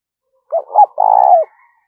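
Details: One urging coo from a decoy spotted dove used for luring: a pair of short rolling notes, then a long, steady, slightly buzzy coo that falls away at the close.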